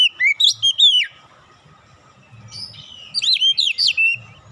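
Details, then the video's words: Magpie-robin lure song imitating tit song: a quick burst of high whistled slurs opens, then quiet, then a second run of six sharp rising-falling notes, with soft low thumps in the background. "PANCINGAN KACER ISTIMEWA BESET SUARA GLATIK BATU"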